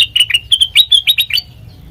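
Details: Brief phrase of sooty-headed bulbul song, used to lure and train other birds: about ten crisp, slurred chirps in quick succession, fading out within a second and a half.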